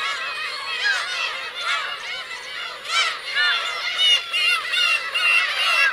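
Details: Black-tailed gull colony, adults with chicks, Kurosaki coast, Teuri Island, Hokkaido, 17 June 2021: busy overlapping mewing and higher squealing calls, repeated about twice a second, growing denser toward the end.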